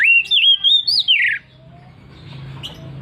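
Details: Oriental magpie-robin singing ngeplong ngotot, opening with a strong phrase of five fluted whistles that rise and then slide down steeply, followed by low-level background noise and a faint note.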